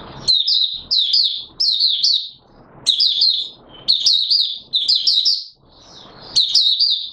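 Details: Oriental white-eye, recorded 24 March 2022, pouring out repeated short phrases of bright, high chattering notes, each starting with a sharp rising flick, in a steady run of about nine bursts.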